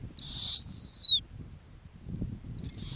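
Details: Arctic snowy owl, a nesting female on the ground, utters one long piercing whistle that slides gently downward, then a fainter similar call begins at the end; quiet low rumble beneath.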